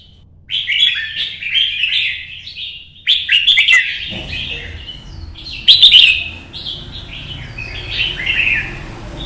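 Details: Caged red-whiskered bulbul singing in a solo competition-style performance in Vietnam: bright, warbled whistled phrases in quick bursts, rising and falling, delivered about every two seconds with sharp accented notes and a low background hum.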